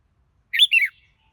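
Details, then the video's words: Red-whiskered bulbul singing a short, clear two-part phrase: a bright whistled note and then a slurred, falling warble, lasting about half a second against a quiet background. "Chào Mào Hót Hay Nhất"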